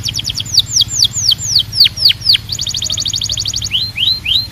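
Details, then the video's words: Belgian canary urging other canaries to sing, with quick trills, a series of loud downslurred whistles, a rapid rolled trill and then rising whistled notes. "Belgian Canary Calls All The Canaries to Sing‼️"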